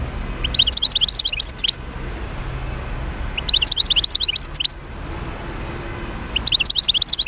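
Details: European goldfinch, wild bird recorded in Médéa, delivering three bright twittering phrases of quick liquid chirps and trills, separated by short gaps, with faint low traffic-like hum beneath.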